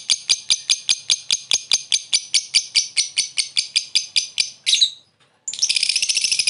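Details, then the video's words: Lovebird calling a rival with a short ngekek laughing call used for luring: a fast series of about twenty sharp, high chattering notes at an even pace, ending in a brief squeal and a harsh buzzy burst. "Suara burung lovebird memanggil lawan + ngekek pendek mantap buat pancingan"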